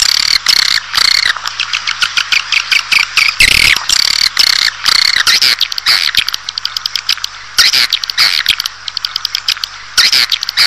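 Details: Swiftlet sounds for luring a colony indoors: rapid high chirping trills and squeaky twitters with frequent sharp clicks, in bursts with brief breaks, loud throughout.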